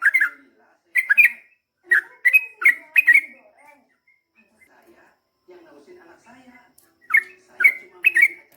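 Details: Yellow-vented bulbul (trucukan) in lively 'gacor' long-rolling song style, given as short bubbly, warbled phrases in bursts, then a pause with faint soft chatter before three more gurgling notes.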